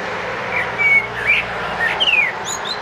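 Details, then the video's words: Eurasian blackbird singing in a front garden by the street on 29 March 2014; scattered whistled and warbled phrases with a bright descending slur near the end, over steady low street noise. "Amsel singt vor dem Fenster"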